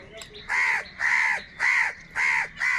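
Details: Crows in a huge flock squabbling over food; a single bird gives five loud, harsh, evenly spaced caws, each about a third of a second long, with a faint chatter of other crows behind.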